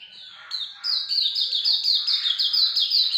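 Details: After a quiet start, a Hume's white-eye launches into loud, rapid, high-pitched notes, each sliding downward, repeated almost three times a second in an unbroken string.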